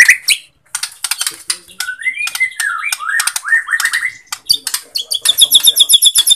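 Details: Bornean white-rumped shama song, used to provoke reluctant birds into singing. Quieter passage with crackling clicks and a series of looping, slurred whistles, then rapid high ticking notes at the end.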